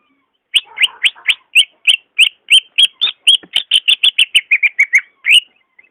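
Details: Greater green leafbird song used to prompt a caged bird that is slow to sing: a rapid series of about twenty clear chirped notes near the upper-middle range, roughly three per second, some slurred downward, with faint lower chatter early on.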